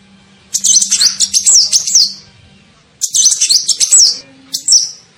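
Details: Kolibri ninja sunbird giving a lure call meant to attract other birds: two long strings of shrill, rapidly jumping chirps, then a short high squeak, with a low hum in the background.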